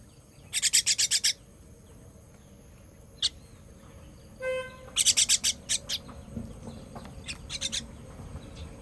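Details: Fledgling bird calling for food during feeding on 18 June 2023: clusters of raspy, high-pitched chirps, then a lone note, a brief tonal squeak, and more scattered chirps trailing off, against low steady background noise.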